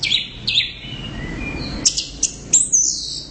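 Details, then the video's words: Loud orange-headed thrush singing brief phrases: a harsh high burst, a thin descending whistle, then a few sharp clipped notes and a short high trill. "Suara Burung | ANIS Merah Gacor Volume Keras"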